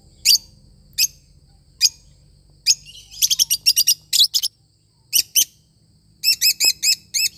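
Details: Lovebird parrot chirping steadily: loud, sharp high notes spaced about a second apart, then rapid stuttering runs of chirps, a short pause, and a final quick series of five notes, with a low background hum.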